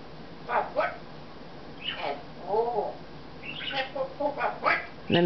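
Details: Talking Congo African grey parrot indoors, December '08, sweet-talking about how pretty we are and then telling its owner to shut up; word-like syllables, a warbling mid-pitched phrase, quick chattered words and an abrupt loud ending.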